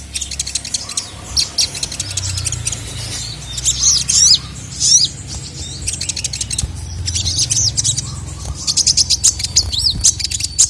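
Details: Captive sogon, a kept songbird, with a female calling a male and the male answering agitated. High, thin chirps and fast trills in dense bursts, with sharp rising-falling notes near four and five seconds and a low hum underneath.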